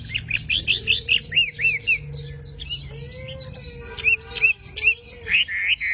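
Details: Javan pied starling singing actively for songbird training: a run of arched, whistled notes that rise then fall. A steady mid-pitched tone hums beneath, then bursts of bright whistles return after a pause.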